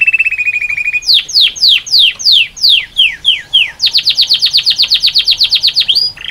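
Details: Male canary in full song: a fast trill of short notes, then a series of loud descending sweeping whistles about every third of a second, followed by a rapid run of repeated high notes and a final rising phrase, in a quiet setting.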